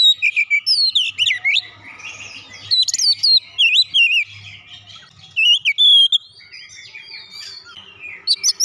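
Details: Loud oriental magpie-robin song carrying gelatik batu mimicry, bursts of twisting whistled notes and sweet slurred phrases alternating with softer scratchy passages and short pauses, a faint low hum beneath.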